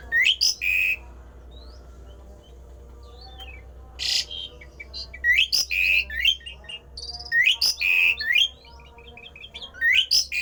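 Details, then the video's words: Javan pied starling's rare, strange song, used to make other starlings sing along: repeated loud phrases of upswept whistles, a flat held note and harsh bursts, separated by pauses, with short dotted notes between. "jalak uren suara aneh langka di jamin Jalak uren lain panas ikut gacor!!!!"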